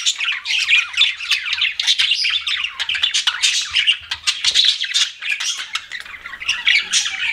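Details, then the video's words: Busy chorus of pet budgerigars: rapid, overlapping warbles, chirps and scratchy squawks run continuously, high and bright, with no pauses across the stretch. "CUTE PET BUDGIES CHIRPING"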